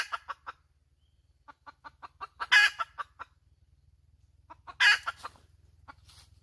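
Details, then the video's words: A hen gives rapid, regular clucks that lead twice into a loud, raspy squawk, each followed by a few fading clucks. A steady low hum runs underneath. "Suab poj qaib tsauj dib tuaj zoo heev"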